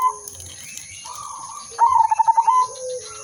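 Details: Lure zebra dove of a silver strain: a soft, drawn-out purring coo followed by one loud phrase of quick, evenly pulsed cooing notes.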